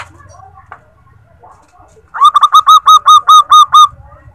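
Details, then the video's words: Lure call of a female zebra dove summoning the male. Quiet low noise at first, then a clear, rapid string of about ten short, bright coo notes on one level pitch. "Perkutut betina memanggil jantan"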